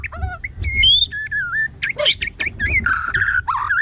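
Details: White-rumped shama singing varied whistles: descending and rising notes, a bright harmonic rising call, then harsher buzzy phrases and warbles, with low-pitched background noise throughout.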